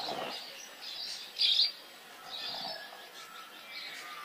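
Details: Birds singing in the wild; soft scattered high chirps and twitters from several directions, one sharp loud chirp near the middle.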